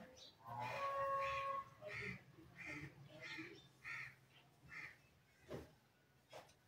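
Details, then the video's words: Green ringneck talking parrot produces a clear, level whistled tone early on, then a series of short, gravelly squawks that grow softer and more spaced out, ending with a few faint clicks. "cute green ringneck talking parrot,natural parrot voices"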